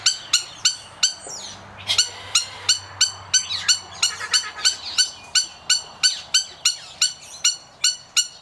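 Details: Male trumpeter hornbill in a captive aviary in Oregon, USA, giving a steady run of short, nasal, harmonic-rich notes about three per second, with softer calls from other birds mixed in midway.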